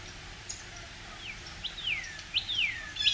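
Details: Early-morning song of a male Northern cardinal high in a pine as spring nears: several long, clear whistles sliding downward, spaced unevenly, with light background hiss.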